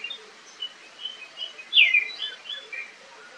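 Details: Oriental magpie-robin (kacer) in the wild during a fight, caught on camera. The song is a varied run of sharp whistles and chirps, with one loud, sweeping, descending whistle at the midpoint and quieter notes around it.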